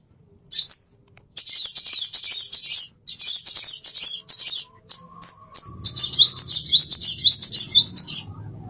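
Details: Plain-throated sunbird used as a master song for training caged birds: a high, rapid twittering run with short rising upslurred notes, broken by brief pauses; faint low hum underneath near the end.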